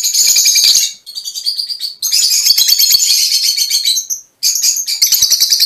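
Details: Fischer's lovebirds, mutation birds, in near-continuous loud shrill chattering, rapid harsh high notes with brief breaks, possibly several birds calling together.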